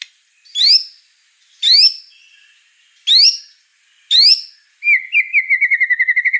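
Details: White-rumped shama (murai batu) singing vigorously: four loud, sharply rising whistled notes about a second apart, followed by a rapid, evenly repeated trill of clear notes.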